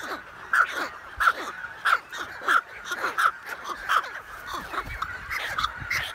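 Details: American white pelican breeding colony shared with cormorants on a remote island lake in the Canadian wilderness, recorded June 23, 2018 on an iPhone 7+. Harsh, even calls repeat about every two-thirds of a second over a dense background of colony chatter.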